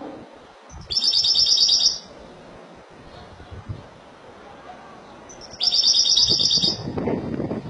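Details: Malaga-style song of a Spanish goldfinch, two high, tinkling trilled bursts about a second long, separated by roughly four seconds of quiet, with soft low rustling near the end.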